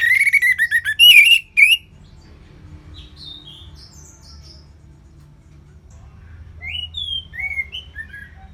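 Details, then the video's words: Orange-headed thrush giving relaxed ngeplong song. It opens with loud, harsh, overtone-rich slurred bursts, then drops to soft scattered whistles and thin rising and falling notes over a low hum. "ANIS MERAH Ngeplong Lemas"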